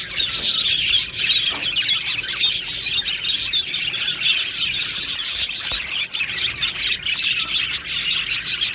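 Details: Aviary budgerigars fill the air with a thick, constant twittering of high chirps and warbles from many birds at once, steady throughout.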